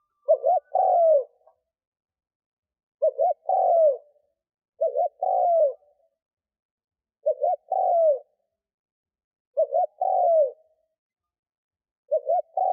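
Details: Decoy spotted dove cooing to attract wild doves. Six repeated phrases, each a quick double hoot then a drawn-out descending coo, roughly every two to two and a half seconds, against a quiet background.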